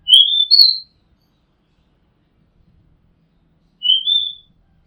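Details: Oriental magpie-robin song taped on a house rooftop: two rising whistled notes back to back, then a pause of about three seconds before a single smooth rising whistle.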